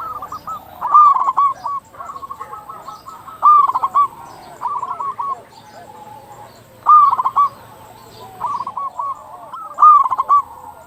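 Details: Zebra dove song played as a lure to prompt doves to call. Loud bursts of quick, stuttering coos come about every three and a half seconds over a steady bed of softer cooing from other doves.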